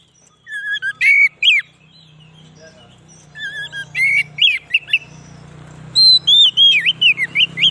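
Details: White-rumped shama song played to lure wild shamas: bursts of rich whistled, warbling notes in short groups, with a steady low hum running underneath through the clip.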